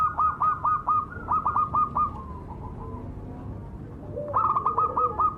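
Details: Perkutut cemani zebra dove cooing: repeated bursts of short, bouncing, hollow coo notes, pausing midway before another run starts, over a noisy, rumbling background.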